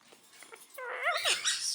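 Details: Female pet monk parakeet that builds nests talks in a brief burst of husky, speech-like syllables sliding up and down in pitch, preceded by faint soft chatter.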